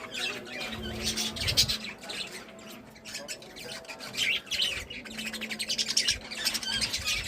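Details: Budgies described as happy, a flock chattering in dense bursts of high scratchy chirps and squawks that swell and fade in waves, with a low steady hum in the background.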